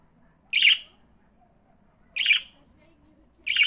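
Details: Budgerigar calling with three loud, grating squawks spaced well over a second apart against a quiet background.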